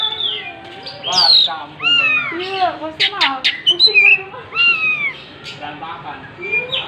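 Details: Oriental magpie-robin singing vigorously while spreading its tail: rich slurred whistles, some bending downward and others rising, mixed with short harsh buzzy bursts in an irregular, varied run of phrases.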